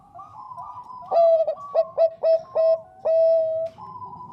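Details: Soft, steady cooing from a Bangkok-strain zebra dove breaks into loud, staccato, ringing coos. The phrase closes with a long, even, drawn-out note, and the singing is clear and lively.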